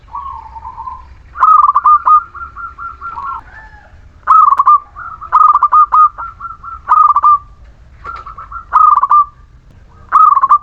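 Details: Lively local Muria zebra dove song meant to prompt lazy birds to sing: a low opening coo, then repeated bursts of fast, bubbling notes with steady held tones between them, about six phrases in ten seconds.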